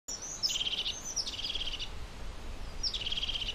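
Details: European crested tit giving three short trilled calls, each opening with a high thin note and then dropping into a fast, purring rattle, spaced about a second apart over soft background noise.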